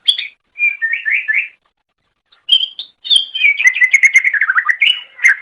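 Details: Cucak ijo, the green leafbird, singing a master song for training other songbirds. Clear whistled phrases and quick warbling runs alternate with short pauses, ending in a rapid chattering series of varied notes.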